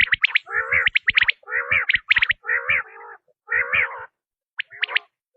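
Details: Quail call used as a hunting lure: high sharp whistles interleaved with buzzy, wavering trills in a steady series, fading to a few isolated notes at the end.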